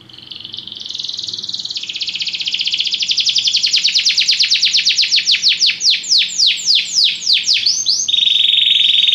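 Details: Belgian canary singing, a recording meant for song training; a buzzy roll builds and speeds up, breaks into a run of sweeping downward-slurred notes, then settles into a steady high trill at the end.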